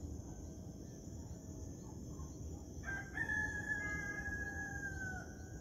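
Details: Morning rooster crow at sunrise, coming in midway as a single drawn-out call of about two and a half seconds. It rises sharply, then holds and slowly falls. Steady cricket chirping and soft distant bird tweets fill the background.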